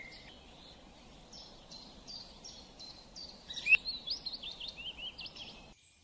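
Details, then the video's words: Birds singing: a series of short high notes repeated about every 0.4 seconds, then a sharp click and a busier run of rapid varied warbling notes, over constant environmental hiss. "Birds are singing#चिड़िया रानी गाना गाते हुए"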